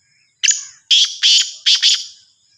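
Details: Black francolin, the Sindhi kala teetar of the Sahiwal type, gives a harsh grating phrase: a single rasping note, then two pairs of loud scratchy notes in quick succession, with a faint thin whistle behind.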